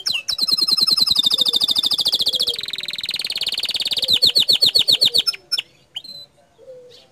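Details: Gacor dor canary song: a dense, high, buzzy trill rolling on for several seconds, breaking into separate sharp chips and a few short whistles at the close.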